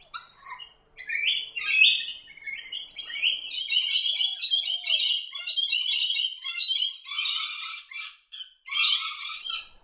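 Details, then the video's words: Scaly-breasted lorikeets in a noisy flock along Australia's east coast, nectar feeders, loud piercing screeches and rasping chatter, starting with varied squeaky notes, then a steady run of harsh bursts nearly every second. "Scaly-breasted Lorikeet"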